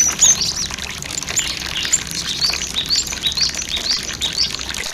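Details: Cinereous tit song played to lure and train birds to sing: quick high-pitched chirps and brief rising whistles tumbling over one another throughout, with a bright chirp at the start, over a continuous hiss of running water.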